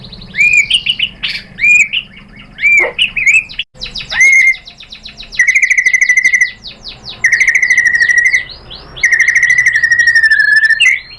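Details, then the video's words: White-rumped shama song used as a lure to provoke another bird into answering: varied whistled phrases, then long rapid buzzy trills held near one pitch, repeated in bursts with short pauses. "PANCINGAN MURAI BATU BIKIN EMOSI JADI NYAUT GACOR BONGKAR MATERI ¦ SHAMA BIRD"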